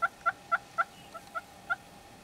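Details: Red-billed hornbill in Kruger National Park giving a run of seven hollow, clucking 'wok' notes, about four a second, over a faint steady hum.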